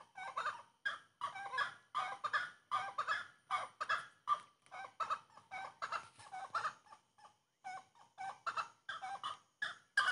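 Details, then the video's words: Grey-cowled wood rail in full song, a dense, hurried chorus of harsh, cackling notes tumbling over each other, several per second, with a brief lull near the middle before resuming. "Canto da saracura Três Potes"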